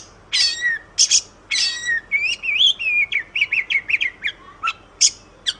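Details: Oriental magpie-robin song recorded as a master track for training songbirds: loud buzzy high bursts, then a run of quick sweet whistled slurs and rising-falling notes, with brief pauses between phrases.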